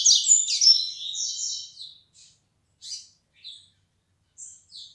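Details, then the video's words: Young double-collared seedeater of the flecha negra tournament song style, starting to sing more firmly: an opening burst of fast, buzzy high warbling phrases, then scattered short chirps separated by pauses. "Coleiro flecha negra começando cantar mais firme"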